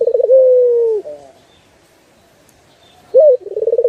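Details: Turtle dove song from a master recording for training birds: one trembling start sliding into a steady, falling coo, then silence before a crisp rising note and a new run of fast pulsed cooing.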